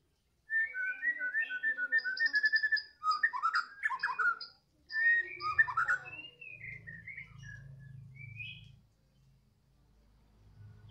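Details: White-rumped shama from Medan, singing in the afternoon: a rich, fast run of varied whistles, chirps and short trills lasting about six seconds, then a low rumbling background hum as the song stops.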